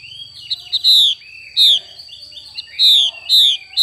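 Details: Female Chinese hwamei calling in 'xùy' style: loud falling whistled notes in pairs, separated by brief soft chips and low murmurs. A persistent high electronic tone lies underneath.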